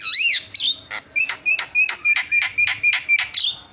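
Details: Javan myna song used as a master song to encourage other birds to sing: an opening wavering whistle, then about eleven buzzy, harsh notes at a steady quick pace, each carrying a steady whistled tone.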